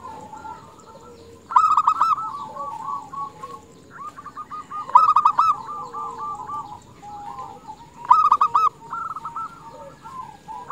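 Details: Female zebra dove calling for males: three loud bursts of fast, purring coo notes spaced about three seconds apart, with quieter stuttering coos from other doves filling the gaps.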